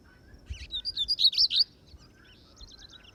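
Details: Lined Seedeater (bigodinho) out on a campiada, a field outing with its keeper: about a second of quick, high, chirping notes that grow louder and then stop abruptly, followed by faint distant notes.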